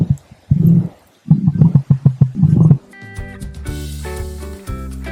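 An emu gives deep, thudding drum notes in quick pulsing bursts for about three seconds, then cheerful music takes over.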